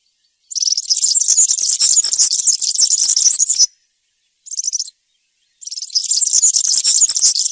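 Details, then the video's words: European serin singing in the wild 'campero' style: a fast, high, buzzy jingle of tinkling notes, a long three-second burst, a brief fragment, then another long run. "𝗩𝗘𝗥𝗗𝗘𝗖𝗜𝗟𝗟𝗢 𝗖𝗔𝗡𝗧𝗔𝗡𝗗𝗢 𝗖𝗔𝗠𝗣𝗘𝗥𝗢"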